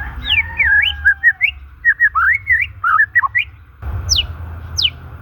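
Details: White-rumped shama song for stimulating shamas that have gone silent or are stressed; wavering whistles and quick looping phrases, then a noisier stretch with two steep high falling notes, over a continuous low hum.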